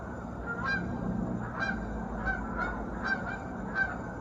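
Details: A flock of geese at sunrise above a South Georgia lake, flying and circling back. Scattered honks, about five in four seconds, fairly quiet against a steady low-pitched background drone.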